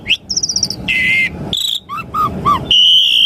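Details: Asian pied starling song used to provoke caged starlings into responding: a rapid buzzy trill, a harsh rasping note, clear whistles, then three short downslurred notes and a held flat whistle, over a faint low hum.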